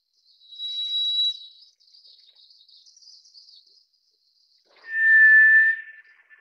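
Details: White's thrush, also called tiger thrush, giving a long steady whistle at a high pitch, then after a pause a lower pure monotone whistle about a second long. A faint wavering high twitter from another bird is heard in between.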